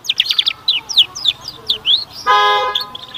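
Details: Canary song played to prompt young canaries to sing and develop their voice: quick series of sharp, high chirps and downward-sweeping notes, then a steady, buzzy horn-like tone near the end, with a few further chirps.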